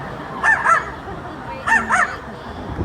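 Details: A small green talking parrot at a safari park show, trained in animal noises, imitates a dog, giving two pairs of short, harsh, bark-like calls.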